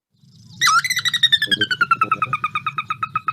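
A Sora's whinny: a sharp rising note, then a quick run of about twenty-five clear, whinnying notes that slowly drop in pitch, over a faint low hum.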